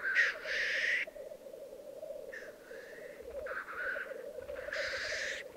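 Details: A black grouse lek in the Piedmont Alps, Italy, 2022: a strong opening hiss, then an unbroken low burbling chorus with several softer and louder hissing bursts over about five seconds.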